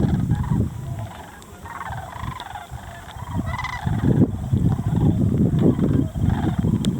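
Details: Sandhill cranes foraging in farm fields around Muscatatuck refuge, southern Indiana, during winter. Scattered purring, rolling calls rise over a loud low-frequency rumble that grows stronger in the second half, plus occasional clicks.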